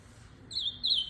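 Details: Ultramarine grosbeak song fragment: after a quiet start, two short, high, slurred warbled phrases follow each other closely, with a faint low hum beneath.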